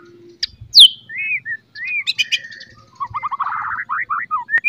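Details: White-rumped shama singing in the morning as a lure to make shamas more aggressive. Fairly quiet: a sharp upslurred note, looping whistles, then a lower, rapid stuttering warble of short liquid notes.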